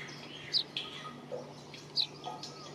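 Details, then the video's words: Brown rock chat (Indian chat, Oenanthe fusca) giving two short, sharp high chirps about a second and a half apart, with softer chirps and a faint low hum behind. "Brown rock chat Bird - Indian chat Bird"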